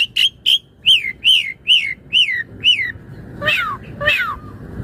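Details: Singing Asian pied starling, played to train other birds: a series of seven loud arched whistles spaced about half a second apart, then two harsh descending squawks.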